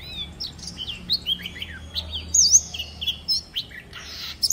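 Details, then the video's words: Oriental magpie-robin forest-style song: scattered short whistles and slurred chips, fairly soft, with a few louder notes and a brief scratchy sound near the end. "Chòe than mồi hót giọng rừng cực hay"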